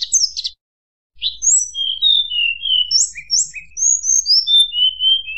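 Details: Sunda blue robin singing a flute-like song that provokes rival birds. A short buzzy phrase, a brief silence, then a long series of pure whistles sliding up and down, some doubled, lasting several seconds.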